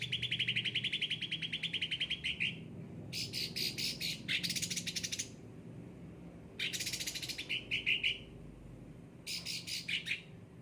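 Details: Caged cucak ranting singing at full volume: a long rapid trill for over two seconds, then rough buzzy bursts and short trilled phrases separated by pauses.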